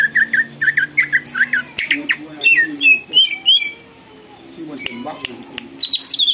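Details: Singing greater green leafbird whose song reportedly provokes others to join in and grow agitated: a fast series of bright whistled notes, rising to higher swooping ones, a brief lull, then sharp chips; faint voices underneath.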